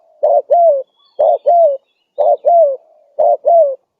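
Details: Lure call of a spotted dove, meant to attract other doves in the wild: soft, hollow coos grouped in pairs, short note then a longer bending one, four pairs at an even one-second rhythm over a quiet background.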